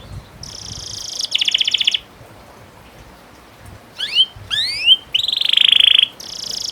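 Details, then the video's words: Canary master song for training young canaries to sing: buzzy high trills and rapid upward-sweeping whistles in separate bursts, with short silent pauses between phrases. "Masteran burung kenari paud biar gacor"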